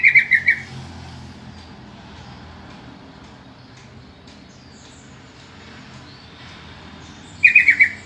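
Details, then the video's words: Yellow-vented bulbul lure call, meant to make other bulbuls answer: a short burst of four bubbly, chattering notes at the start and another burst near the end, with a long quiet gap of low background hum between them. "suara panggilan trucukan,trucukan lain pasti nyaut dengar suara panggilan ini"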